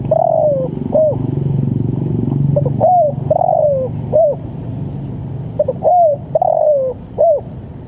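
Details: Spotted dove delivering its 'lambung kuk' call, used as a training and luring recording: back-to-back phrases of brief notes and drawn-out descending coos, with a low rumbling hum underneath.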